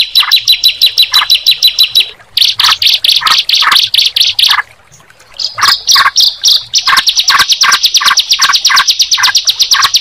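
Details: Sunda pied chat and yellow-vented bulbul meeting each other. High, buzzy rattling trills come in bursts broken by short pauses, with lower clipped chirps mixed in and a near-silent gap before the chatter resumes.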